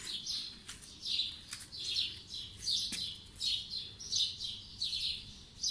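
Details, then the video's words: Birds singing on a spring morning in 2020: high chirpy phrases recur about every 0.7 seconds, soft and somewhat distant, over a steady broad background hiss. "Birds singing in the morning"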